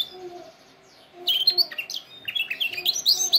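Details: Canary song for training: after a quiet start, rapid high chirps and sliding whistled notes build into a fast energetic run.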